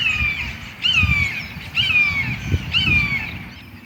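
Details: A Red-shouldered Hawk, seen atop a sycamore on a chilly, windy morning amid agitated blue jays, screams four loud, high "beer" calls slurring downward, about one a second, seemingly calling each time the wind blew, over a low wind rumble.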